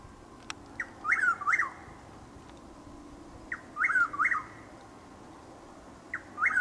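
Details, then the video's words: Chuck-will's-widow in Lake Placid, Florida, around 6:20 am in April drizzle: three rounds of its quick note followed by two swooping whistles, spaced about two and a half seconds apart against quiet background hiss. "Chuck-will’s-widow (Antrostomus carolinensis Gmelin 1789) making its call in Lake Placid, FL"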